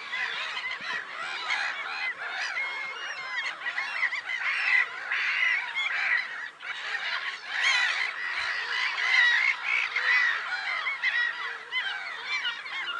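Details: A long stretch of black-headed gull clamour from Lake Sarymsak, Pavlodar region, Kazakhstan, 10 April 2011: rough, chattering cries from many birds rise and fall in waves, never pausing.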